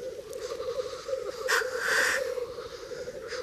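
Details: Black grouse males displaying at a lek in Bažu bog, Slitere National Park, in early spring: a steady low bubbling rookoo chorus from many cocks, broken by two loud hissing sneezes near the middle and one at the end.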